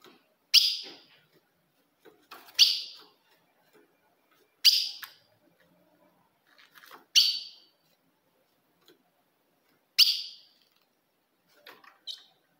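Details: Calls of a female ultramarine grosbeak played to excite a male: single sharp, piercing chips repeated roughly every two to three seconds, six in all, quiet background with faint clicks.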